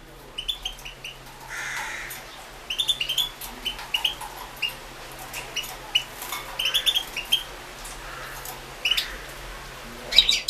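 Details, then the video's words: European goldfinch performing for a 2016 world goldfinch song competition held online. Softer, scattered chirps and short twittering notes at a steady pace, with a brief buzzy rasp and a low hum in the background. "Pesma štiglića"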